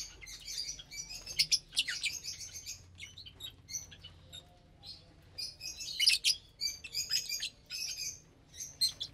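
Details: Lovebirds sharing a morning meal of vegetables and whole grains; clusters of sharp, high chirps separated by brief quieter gaps, with overlapping chatter from several birds.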